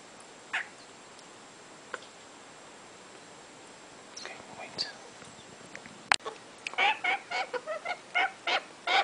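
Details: Captive-bred African grey parrot babies: quiet rustling and faint breathy sounds at first, then a run of loud, harsh, rasping calls repeated roughly twice a second.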